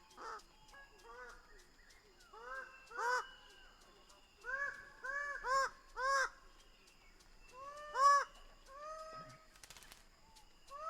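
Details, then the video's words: Greater birds-of-paradise calling in a loose series of nasal, arched honking notes, some doubled, with several birds overlapping at different distances. "Greater bird of paradise sound"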